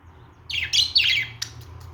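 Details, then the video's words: Australian parrot, a budgerigar, giving a short buzzy warbled phrase of two rasping notes and then a brief sharp chirp, over a faint low hum. "Australian parrot singing#Australian parrot sounds#"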